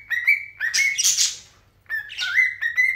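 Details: Zebra finch chick on its first day in a new home, 15 December, meeting older pet birds: short, nasal, buzzy, slightly rising calls in quick bursts with harsher raspy chatter between.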